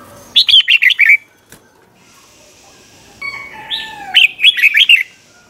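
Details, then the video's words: Red-whiskered bulbul in 'double' song style, recorded to teach young birds: two loud phrases of five or six quick, bright, wavering notes, with a softer slurred whistle leading into the second. "เสียงนกกรงหัวจุกเบิ้ล เพลง100อาชีพ"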